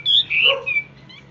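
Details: Caged Hwamei kept for sale, singing a short burst of loud whistled notes that swoop and slide, then fade into quieter trailing notes, with a man's voice talking nearby.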